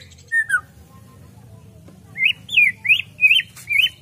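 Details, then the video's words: A white-rumped shama's gacor song: a single downslurred whistle, a pause, then five high, looping whistled notes repeated at an even pace, against a quiet low hum. "Murai batu gacor"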